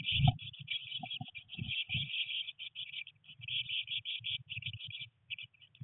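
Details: Eurasian blue tit nestlings, three chicks on day 19 in a nest box with heavy rain and first flight attempts, chirping in dense high trills, accompanied by knocks and shuffling early on, fading near the end.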